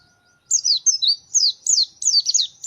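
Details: A white-eye (Zosterops, locally called pleci), a lively 'gacor' fighter bird, sings a fast, high, thin warble of sliding twittered notes in quick bursts, with no other sounds heard.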